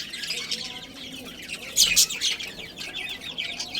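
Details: Budgerigars in a colony with a breeding pair, kept as pets: dense overlapping high chirps and warbling chatter from many birds, with a louder burst of sharp calls near the middle.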